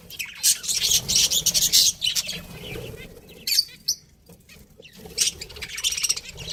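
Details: Breeding pair of pet budgerigars chattering: rapid high chirps and buzzy warbles in dense bursts, with brief quiet spells and a few isolated sharp notes.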